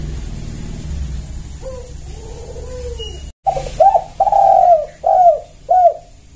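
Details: Tekukur (zebra dove) lure recording in loud clear kuk style; after a noisy stretch with soft low coos, a sharp break leads into five strong rounded coos in quick succession, steady background hiss throughout.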